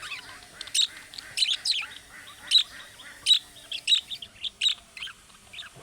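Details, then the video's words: Budgerigar chirping said to make other budgerigars reply, imitating the calling chirps of young birds: bright high chirps at roughly one per second, with softer warbling between them. "MUHABBET KUŞU SESİ Kuşunuz Bu sese Karşılık Verecek Kuş Sesi"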